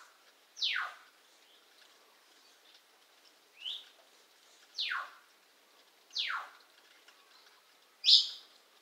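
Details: A pet bird left outside by its owners on 29 July 2021 at 6:46 a.m. gives loud, sharp descending calls, each sweeping from high to low, repeated every second or so; the calling began before then and continued for hours.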